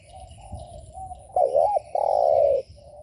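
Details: Provoking coo of a spotted dove, meant to stir up rival doves: soft distant cooing, then a loud wavering double note followed by a long, steady, slightly falling coo.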